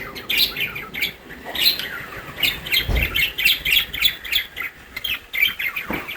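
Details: A pet budgerigar grooming itself with a stick chatters in rapid, scratchy chirps and warbles, with a soft thump partway through.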